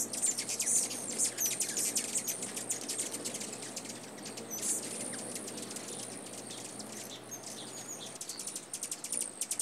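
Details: Rufous Hummingbird in North America giving thin, very high chips and squeaky ticks in quick, uneven runs over a steady hiss of background noise.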